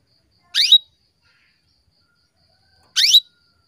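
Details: Calling female canary, whose call stirs males into breeding condition: two identical high, rising note clusters about two and a half seconds apart, with otherwise quiet surroundings.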